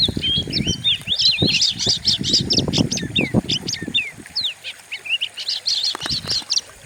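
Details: Oriental magpie-robin singing a fierce lure song meant to provoke other birds: a dense run of varied high whistles, slurs and sharp chirps, with low rumbling knocks beneath through the first four seconds.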